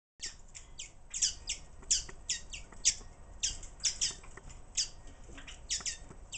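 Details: Common waxbills on St. Helena give a steady chatter of short, high, harsh chips, several each second and overlapping, as from a small group, over a faint low background hum.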